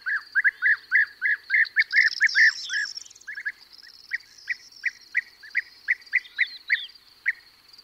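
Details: European bee-eater calling from a perch with others in flight: a fast run of burry, rolling notes, then a pause and evenly spaced single calls about every third of a second, with larks and corn bunting singing high behind.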